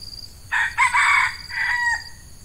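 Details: Red junglefowl crowing near a hen decoy set to lure wild birds in peat scrub: a loud, harsh two-part crow, then a drawn-out, wavering tail ending abruptly, all within two seconds, with insects buzzing behind.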